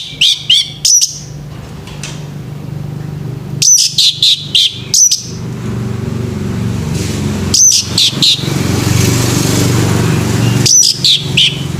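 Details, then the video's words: Male orange-headed thrush in the morning, singing short clusters of sharp, high chirping notes every few seconds over a steady low rumble of traffic-like noise. "SUARA ANIS MERAH PAGI HARI"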